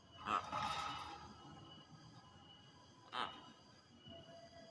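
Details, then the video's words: Common hill myna calling toward a rival, giving two loud, harsh, whistled bursts about three seconds apart, with a faint steady hum in the background. "NYANYIAN BURUNG BEO MEMANGGIL LAWAN"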